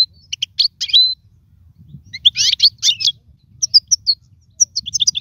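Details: European goldfinch singing, offered as a model for tutoring fledglings; short bursts of bright twittering phrases separated by pauses, with buzzy rattles and brief rising whistles over a faint low hum.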